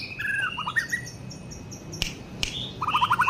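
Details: Young white-rumped shama singing: varied whistled phrases and quick stuttering note runs, with two sharp clicks partway through.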